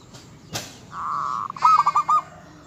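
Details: Local zebra dove in spirited song, said to excite and anger rivals: a sharp click, then a drawn-out steady coo running into a quick rolling series of notes.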